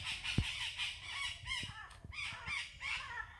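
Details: Parrots calling in natural surroundings: a string of harsh, raspy squawks, each broad and noisy, overlapping at a moderate distance, with scattered clicks and low rumble beneath.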